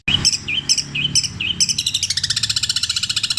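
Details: A long-tailed shrike performs imitated kingfisher, kuntilanak and sparrow phrases in petir style. Four clear whistled notes with bright overtones, then a rapid, steady rattling trill; a man speaks afterwards.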